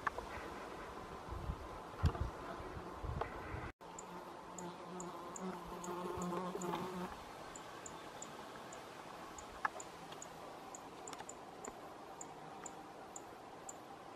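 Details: Rustic Bunting family in Hedmark, Norway, 2016: a series of very short, high, sharp ticking calls, roughly two or three per second, after a brief louder low disturbance at the start.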